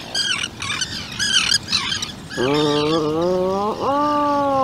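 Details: Inside a Seal Island burrow holding a 2-day-old chick and both parents, high chirping bird calls come first, then an Atlantic puffin gives a low, sustained, harmonic moaning call that pauses briefly and resumes.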